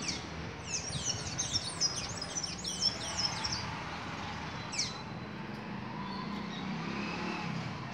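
A Blue-gray Tanager gives a high, squeaky twittering phrase lasting about two seconds, then a single thin note, over steady traffic rumble.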